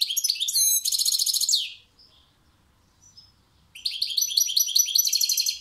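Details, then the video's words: Caged European goldfinch singing: dense bursts of rapid twittering and buzzy trills high in pitch, broken by a pause of about two seconds before a further long run of chattering notes. "Saka kuşu konser veriyor maestro"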